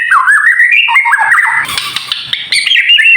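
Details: Kretekan song of a White-rumped shama, played to rouse other shamas into song: fluid rising and falling whistles, then a harsh crackling burst midway, ending in bright high whistled notes.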